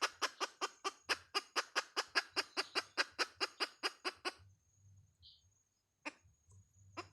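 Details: Hen producing rapid, evenly spaced clucks for about four seconds, then quiet with faint low background hum and a couple of isolated clucks near the end.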